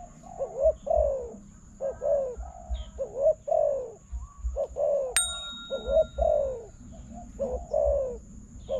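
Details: Spotted dove calling to a decoy in a bird-trapping contest: regular series of mellow short-and-long coos, interrupted once by a sharp metallic clink.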